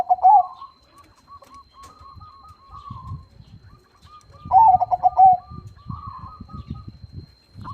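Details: Zebra dove of crossing stock, singing often in a big voice: a loud low rolling coo opens, followed by a string of hooked higher notes and a second strong coo burst midway, over faint thumps and a steady thin hum.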